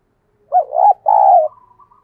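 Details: Caged decoy spotted dove giving a thúc rousing call meant to stir other doves into calling: a short rolling note, then a longer steady hollow coo around one second, with a faint trailing whistle.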